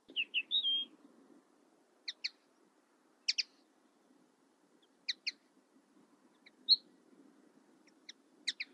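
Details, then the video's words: Common linnet opens with a quick run of slurred whistled notes, then gives spaced double chirps every second or so, with a soft low hum behind. "Common linnet 1h bird sound"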